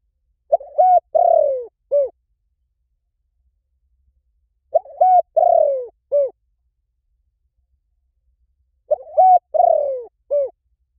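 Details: Spotted dove cooing used to lure birds in for trapping: three identical four-part phrases about four seconds apart, each a short coo, a level coo, a long buzzy downslurred coo and a short end note.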